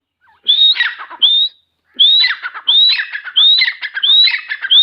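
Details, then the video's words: A grey francolin calls in a loud, repeated series: a high, rising whistled note, then harsh, grating syllables, with phrases coming about every second. "Grey francolin calling"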